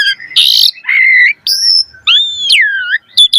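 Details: Caged Asian pied starling singing, song meant to lure and train captive birds: a harsh rasping burst, a level whistle, then arched and falling slurred whistles ending in short sharp notes.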